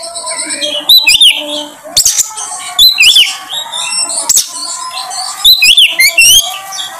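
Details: Oriental magpie-robin (kacer) lure song to bring out a bird's full repertoire: short bursts of bright, wavering whistles and sharp clicks separated by brief pauses, with faint steady tones underneath.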